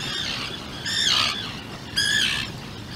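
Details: Two loud grating squawks, each about half a second long and one second apart, from a Seal Island burrow where a 2-day-old Atlantic puffin chick is with its parents. Steady outdoor noise runs underneath.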